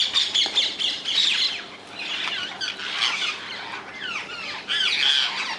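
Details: Wild rose-ringed parakeets in the Netherlands give harsh, grating screeches. The squawks overlap and come in dense bursts, with a brief quieter dip near the middle before loud calling resumes.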